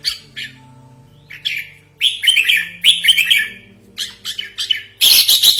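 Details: Lure call of a red-whiskered bulbul, used for trapping and as a training model: rapid chattering, bubbly notes in clustered bursts, ending in a loud burst of hissy, high-pitched chatter, over a low steady background hum.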